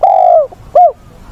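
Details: Decoy spotted dove with a wild-caught voice, August training session; the tail of a phrase, a long falling coo followed by one short rounded hoot.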